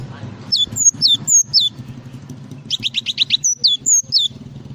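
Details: Java sparrow in full 'isian' song, a fast string of high, clear, downward-sweeping chirps and shorter clipped notes repeated several times a second, with a low hum underneath.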